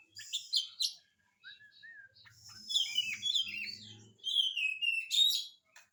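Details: Oriental magpie-robin song used as a lure for lazy singers: sharp chips and short whistles, then layered gliding whistle phrases over a low buzzing hum, and a final bright sweeping burst.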